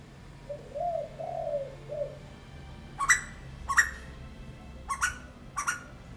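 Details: A male Asian koel, perched on front-yard garden plants where it visits daily, gives four loud, sharp rising notes in quick succession, unusually noisy that day; softer, low cooing notes come first, probably a dove.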